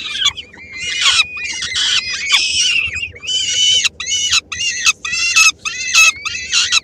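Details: Peregrine falcon at a nest in Helmond on 13 May 2016, the female bringing a small morsel to three-week-old chicks that grab it. Rasping, harmonic-rich screeches in quick overlapping bursts, some slurred downward, with brief gaps between.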